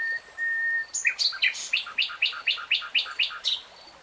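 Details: Singing common nightingale: a thin sustained whistle gives way to a loud series of about twelve emphatic, descending chip notes, roughly four each second.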